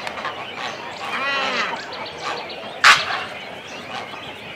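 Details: Close-up colony sounds from cormorant chicks and adults on the nest: a hoarse, rippling croak in the first half, then a sudden sharp, loud snap, with quieter calls scattered around.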